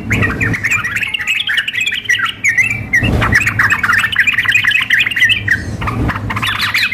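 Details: A female sooty-headed bulbul calling a male together with a lively singing bird: long run of rapid, overlapping chattering notes, a short pause near three seconds, steady low hum underneath.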